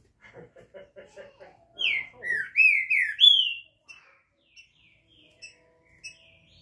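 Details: Captive green-winged saltator (trinca-ferro) from Brazil singing canto liso: one loud phrase of four or five slurred, sweet whistles dipping and rising, preceded by soft rapid clicking and followed by faint chips.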